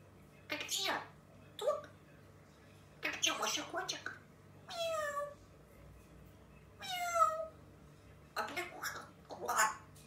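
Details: Pet Grey parrot indoors chattering to itself: a string of short spoken-like bursts, some with gliding harmonic tones like mimicked cat meows, separated by brief pauses over ten seconds in a quiet room.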